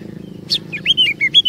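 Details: Oriental magpie-robin song played as a lure for other magpie-robins; a sharp high note followed by several short slurred whistles.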